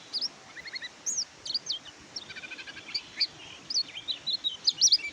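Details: Faint, thin high chirps and short twittered phrases from an Oriental white-eye, spaced irregularly over a noisy, hissing background.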